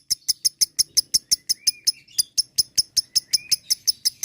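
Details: Ngekek-style lovebird chattering meant to stir other lovebirds into responding: an even series of piercing high chirps, close to three a second, with a faint thin whistle sliding upward in the middle.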